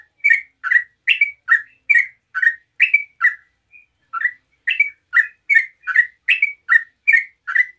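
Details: Rapid 'ropel' song of a yellow-vented bulbul, played to draw replies from other bulbuls: steady run of short, bright chirps swinging between higher and lower pitch, a short gap near the middle.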